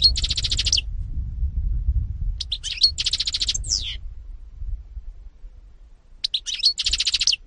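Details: European goldfinch song delivered in three short bursts of bright, tinkling twitters with buzzy notes, separated by pauses of a second or more, over a low background rumble.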